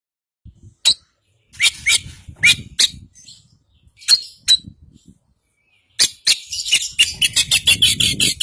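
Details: Oriental magpie-robin of the white-breasted Kacer Poci type from East Java, singing a full isian song: sharp broadband chirps in scattered bursts, then a fast run of clipped notes, with low rumbling background noise.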